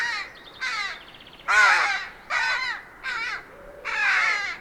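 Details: Rook (Corvus frugilegus) recorded in the wild, giving six harsh, hoarse caws spaced roughly every second, each broad and grating with a rasping texture; no other clear sounds.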